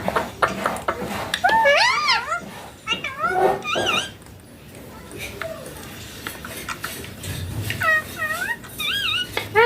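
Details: Talking pet green ringneck parakeet indoors producing bursts of quick wavy, speech-like syllables with pauses, over background room noise and knocks.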